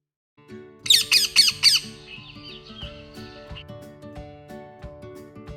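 A parrot gives four loud, harsh squawks in quick succession, then softer chattering, over background music.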